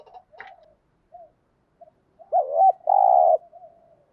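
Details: Spotted dove cooing to stimulate other doves to call. Faint scattered notes lead into a louder burst: two wavering coos followed by a long, harsh, steady coo and a soft trailing note.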